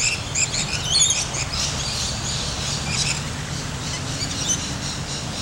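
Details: Lorikeets at Port Douglas, Australia, by the sea, chattering in shrill, screechy bursts, many birds overlapping in a dense high-pitched din, over a steady low rumble.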